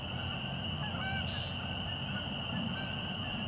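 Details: An American woodcock at dusk, about 6:20 pm in March, at Fresh Pond, Delaware Seashore State Park, gives a single short, nasal, buzzy peent during display, over a steady high insect-like drone and low background rumble.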